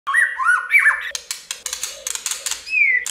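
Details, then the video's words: White-rumped shama singing a varied, many-voiced song meant to prompt other shamas to sing: looping whistled notes, then a fast burst of sharp clicking 'tạch' notes, ending on a long falling whistle, over a soft pulsing undertone. "Kích Chòe lửa hót nhiều giọng,CHÒE GIẬT TẠCH"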